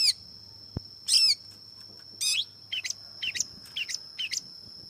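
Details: Long-tailed shrike: three loud rasping notes spaced about a second apart, followed by a quicker run of softer doubled chirps, with a constant high-pitched whine behind.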